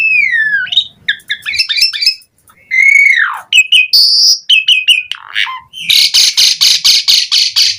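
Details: Asian pied starling song used as a lure to draw replies from other starlings: varied loud phrases mixing clear descending whistles, sweeping slurs and harsh notes, ending in a fast train of buzzy, repeated chattering notes.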